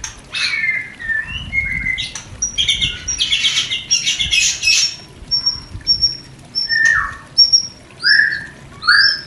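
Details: White-rumped shama mating song, used to stir breeding desire in a new pair not yet producing: buzzy, rich phrases in the first half, then spaced clear whistles that slide downward, roughly one every second.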